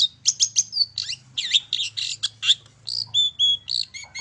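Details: Long-tailed shrike song played to provoke birds to sing. It opens with fast harsh chatter and twisting squeaky notes, then shifts to clearer level whistles and short piping tones near the end.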